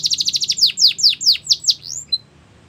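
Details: Belgian canary song for tutoring young canaries: a fast burst of short chips breaking into six slower, strong downswept notes and a final rising whistle, then quiet.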